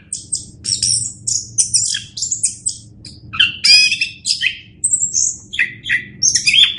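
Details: Master recording of orange-headed thrush song for tutoring other birds: a lively, varied medley of high sharp chips, rolling trills and one long thin whistle, delivered in quick bursts with short pauses between them.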